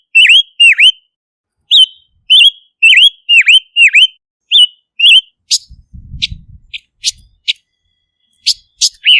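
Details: Silver-eared mesia singing dipping whistled notes in quick phrases, followed by scattered sharp chips, soft rustling thumps and a final whistle.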